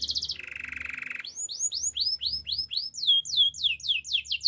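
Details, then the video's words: Gloster canary song used for training canaries to sing: a high buzzy trill, then a steady lower rattling roll, then a fast series of rising-falling whistled notes repeated about four per second. "Gloster canary singing"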